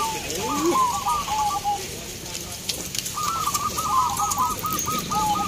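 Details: A zebra dove at a local cooing contest in Boyolali, Central Java, on a sunny, hot day gives two rolling phrases of soft, rapid staccato coos, each stuttering for over a second, over steady crowd murmur and hiss.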